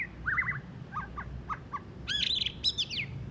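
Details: White-rumped shama just after moulting, still singing a rough chattering song: short melodious whistled phrases, then sharp slurred notes and a bright, rising-and-falling warble toward the end, over a low background hum.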